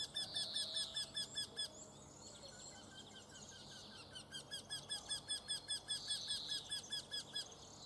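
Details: Eurasian wryneck giving nasal, slightly arched notes repeated quickly and evenly in two runs, one of about a dozen notes, a short pause, then another run of about fifteen notes, over soft background hiss.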